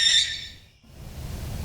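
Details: A Barn Owl gives a single harsh, raspy screech, a scream rather than a hoot, lasting about half a second; heard at night during hunting or territorial disputes. Faint low background rumble follows.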